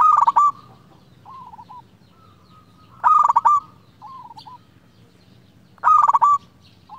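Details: Indonesian local zebra dove in full song, used for calling a rival. Three bursts of quick, bright, stuttering notes come about three seconds apart, each answered by softer, descending cooing phrases against a low background rumble.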